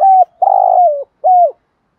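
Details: Captive lure Spotted dove with a 'hạp bổi' voice suited to draw wild doves, giving a short low cooing phrase: a sliding coo, a longer throaty coo that dips at the end, then a final falling coo.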